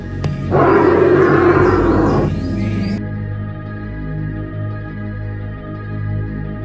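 An Australian bustard gives one deep, hoarse, roaring call lasting under two seconds, over steady background music.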